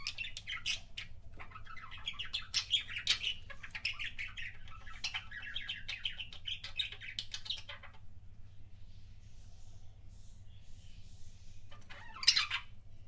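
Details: Pet budgie producing kissing sounds: eight seconds of busy, bright chirping and clicking chatter, then near quiet with faint notes, ending with one loud sharp squeak; low hum throughout.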